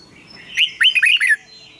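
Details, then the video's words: Single red-whiskered bulbul phrase, used to excite caged birds: a quick run of five rolling whistled notes, bright and slightly slurred, lasting under a second. "เสียงนกกรงหัวจุก สำหรับต่อ หรือ เปิดให้นกคึก เสียงเพราะๆ"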